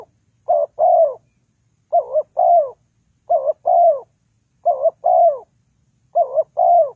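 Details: Spotted dove calling, used as decoy sound for trapping: five evenly spaced double coos, each a short dipped note then a longer slurred falling note, with nothing else audible.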